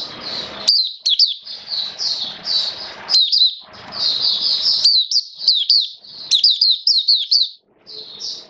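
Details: Oriental white-eye song in wet weather: long runs of high slurred whistles and quick chirps, some stretches dense and continuous, over a low background rumble.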